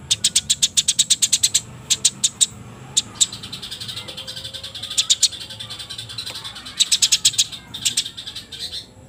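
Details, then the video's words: Fighting sparrows calling before dusk. Bursts of dry, high-pitched chirps run quickly, with short gaps between runs and a faint soft warble in the background. "Burung Gereja tarung gacor posisi basah menjelang magrib"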